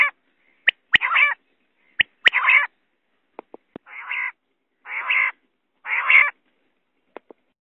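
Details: A female quail gives harsh, raspy bursts about half a second long, repeated roughly once a second, with sharp dry clicks between them.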